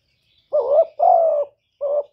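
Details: Spotted dove decoy bird cooing. There is a short mellow coo, then a longer drawn-out coo, a pause, and a final short coo. All are low and soft with a slightly rough quality, against a clean, silent background.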